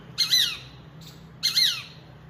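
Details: Angry peregrine falcon giving two loud, grating screeches a little over a second apart, each buzzy and sliding downward at the end, against faint background hum.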